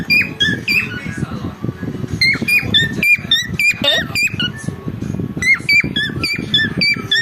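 A cockatiel sings a run of clear, rising and falling whistles, with a low murmur in the room behind.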